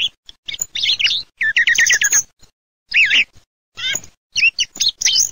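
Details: Thrush song in rapid varied bursts: tangled high twitters, a fast run of repeated clipped notes, a rich looping phrase and scratchy high flourishes, separated by short gaps, with a faint low hum.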